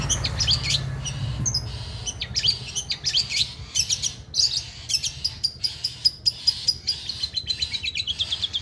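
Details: Long-tailed shrike kept for song contests, delivering a dense, jumbled stream of high sharp chips and squeaks imitating stork-billed kingfisher, steady throughout against a faint low hum.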